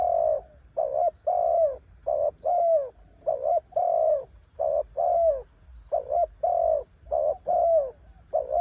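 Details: A spotted dove, said to be a mountain bird, keeps up a long ต่อกิ่ง sequence: about sixteen mellow coos in fairly regular pulses, short notes and longer downward-curving ones alternating.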